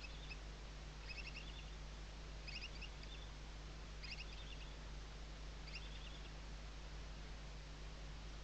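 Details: Western barn owl chicks sheltering under their mother's wings at a webcam nest, Riet Vell Nature Reserve, Ebro Delta, Tarragona, Spain, 2023 season; five faint, high chittering bursts come roughly every one and a half seconds over a steady low hum and hiss.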